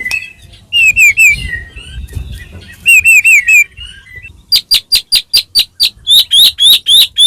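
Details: Caged white-rumped shama singing a vigorous song used to provoke other caged birds into singing: slurred whistled phrases in short bursts, then a run of about ten sharp rising notes and loud repeated upslurred whistles.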